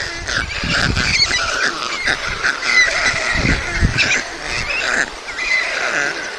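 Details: White stork nest, Mladé Buky, Czech Republic, 20 June 2022, two chicks being fed; a run of wheezy, wavering calls comes in bursts, pausing briefly near the end, over constant background rush and low thumps.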